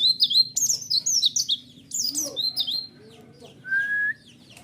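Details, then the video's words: White-eye song used as a lure to provoke a reply: a fast, excited series of high, sliding, chirping notes, then softer twitters and one clear whistled note near the end. "Pancingan Suara Burung Pleci"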